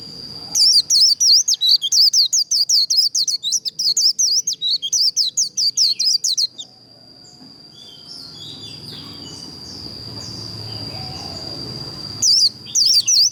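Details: White-eye 'líu đấu' song for provoking contest birds: six seconds of rapid, evenly spaced high twittering whistles, then a long pause with a steady thin tone and low background rumble, and a short return of the whistling at the end.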